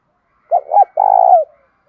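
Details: Single close phrase from a Spotted dove in the loud, clear thổ voice, urging a fight: two quick hooted notes, a brief pause, then a half-second vibrating coo sliding down at its end.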